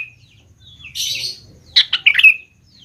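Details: Lively Sooty-headed bulbul song played as a lure for young birds to answer: a harsh, rushing burst followed by a few loud, bubbly, clipped whistled notes, with quiet low hum between phrases.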